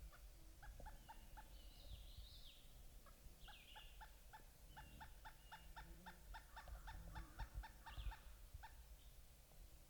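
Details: Wild pileated woodpeckers, mother and two juveniles, overcast sky: long steady series of hollow wuk notes repeated rapidly over several seconds, while higher thin whistles and chirps from other birds overlap above.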